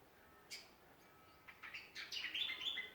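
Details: Backyard songbirds in Ballajura, Western Australia, give a few scattered high chirps, then a denser run of sweet, warbled notes in the final second.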